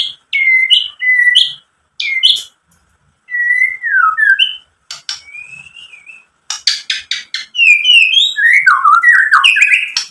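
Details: White-rumped shama song played to provoke rival shamas: clear whistles in short spaced phrases, long down-slurred and rising whistles, then a fast dense burst of high clicks and warbled notes at the end.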